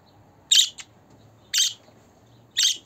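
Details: Budgerigar calls meant to make a pet budgie happy: three sharp scratchy chirps evenly spaced about one second apart, with a faint hum beneath.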